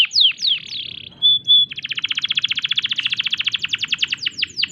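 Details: Canary in breeding condition singing nonstop in a unique phrase style meant to prompt other canaries to reply: a few falling slurs, two pure whistled notes, then a long, fast, buzzy trill ending in sharp down-slurs.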